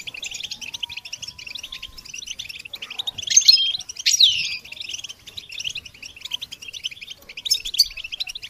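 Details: Goldfinch singing for songbird training: a continuous, high, scratchy twitter. A faint steady whistled tone runs under the first two seconds, and sharp downward-sweeping notes stand out in the middle.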